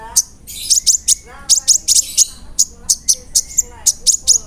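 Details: Kolibri ninja sunbird pouring out a rapid song with cricket, cililin and sparrow insertions. Clusters of piercing high chirps alternate with short gaps, and soft lower warbles sit underneath.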